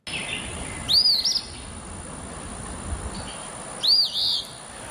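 Eastern Phoebe giving two high, two-part phrases about three seconds apart: a sharp arched note followed by a rougher buzzy note, over a faint hiss.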